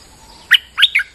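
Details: Captive bulbul singing in rainy weather, used as a lure-bird recording: three quick, loud, bright chirping notes, each sweeping down and slightly buzzy, spaced about a quarter second apart, over a quiet background.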